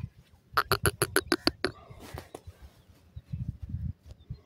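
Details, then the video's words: Teetar, or francolin, calling: a fast run of sharp, harsh clicks lasting about a second and a half, then softer low rustling and a muffled background murmur. "Dakhni Silver Jore and Bhuda Teeter sound"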